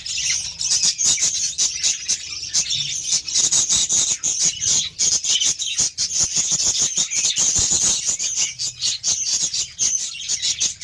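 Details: Budgerigars at feeding time with beetroot: a constant high warbling chatter underlies a rapid series of sharp clicks and taps, giving a busy, crackling texture across the whole stretch.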